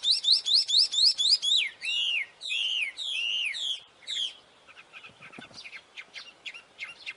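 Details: A wild mountain tailorbird sings energetically, opening with seven rapid high whistled notes, then several longer swooping descending whistles, fading into soft scattered chips.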